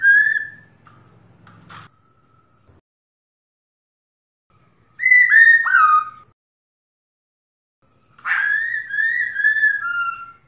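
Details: Female black-throated laughingthrush calling to a male: three separate whistled phrases with long silent gaps. The middle phrase breaks into quick downward-slurred notes, and the last is a long wavering whistle that falls at the end.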